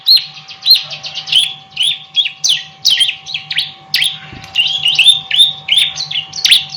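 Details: Very vocal bar-winged prinia singing continuously, a recording meant for training other songbirds: loud, high-pitched chirps and snappy down-slurred notes in rapid irregular runs with brief pauses, a steady background hum throughout.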